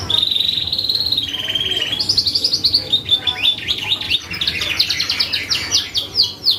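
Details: Canary singing energetically as a lure to provoke other birds into answering: a long sustained trill opening the phrase, then a brighter rising passage breaking into quick descending slurred notes, rapid and varied, with a low hum beneath.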